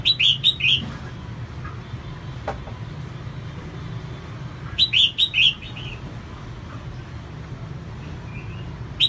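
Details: A female red-whiskered bulbul singing to stimulate males gives two lively phrases of three or four sharp, slurred whistles, about five seconds apart, with a click and steady low hum between.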